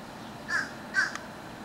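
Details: Unseen bird singing in summer 2012 in Wilkes-Barre, Pennsylvania: two short, harsh, mid-pitched calls about half a second apart, each followed by a faint click, over a quiet background hiss.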